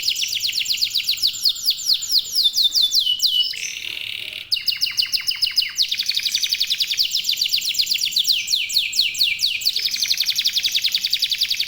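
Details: Local canary singing as a lure to set other birds off: long runs of rapid downslurred whistles, a brief buzzy burst, then steady fast repeated sweeping notes and rolling trills throughout.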